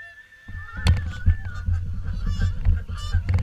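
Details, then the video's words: Swans at WWT Caerlaverock during the morning feed: overlapping nasal honks from many birds, some drawn-out and bending in pitch, over a heavy, steady low rumble that dominates the background. "Morning Swan Feed"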